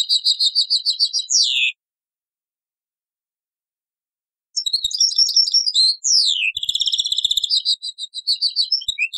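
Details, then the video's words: Taqsrayn song of a European goldfinch, copied from an old cassette: rapid chattering notes and swooping downslurs, a long pause, then a further spell of twittering and rattles. "تغريد تقصراين من كاسيت قديم"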